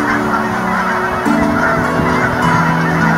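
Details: Canada geese in winter migration in Colorado: a dense flock chorus of overlapping low nasal honks, continuous and crowded, with a steady background hiss.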